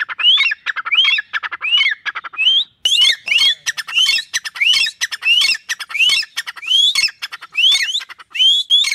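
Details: Desi partridge, a trained captive bird under a tree, calls after the owner whistles: rising whistled notes with clicky lead-ins repeated steadily, then a harsher, noisier stretch as the rhythm continues.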